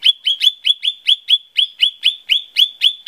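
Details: Lesser green leafbird, recorded as a lure to prompt other birds to sing, giving a fast run of bright, clipped chirps. About four notes a second, each dropping sharply and then levelling out, loud and clean.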